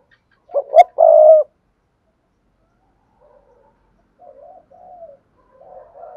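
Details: Spotted dove lure cooing, played through a speaker to stimulate males and free of background noise: two short low hoots, then a longer smooth coo, followed by several faint, softer coos.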